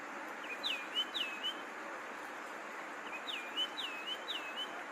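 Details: High whistled longclaw notes that swoop down and then even out, first a pair, then after a gap a run of three, with steady hiss throughout.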